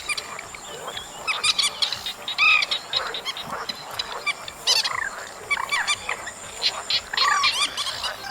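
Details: Chestnut munia calls recorded in August: many short, high chirps and thin rising notes overlapping in a busy chatter, with brief bursts every second or so over a faint steady hiss.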